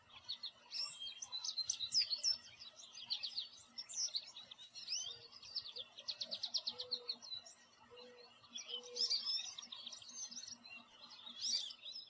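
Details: American goldfinch singing from a tree in a backyard: a lively, rambling series of high twitters, chips and fast buzzy trills over twelve seconds, broken by short gaps, with soft low whistled tones and a steady background hum.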